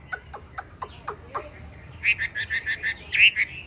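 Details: Yellow-legged, yellow-billed, yellow-plumaged hwamei ('tam hoàng'). A few sharp clicks come first, then a short quick string of clear repeated whistled notes.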